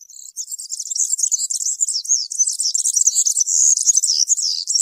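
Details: European serin singing in the wild-field style known as cante campero, used to tutor young birds: a continuous, fast, high-pitched jingling twitter of tightly packed buzzy notes that runs without pause.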